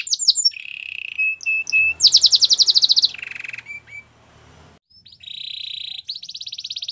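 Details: Canary song mixing short chirps, a low rolling trill, a loud rapid high rattle and a buzzy lower phrase, pausing briefly before two sustained high trills.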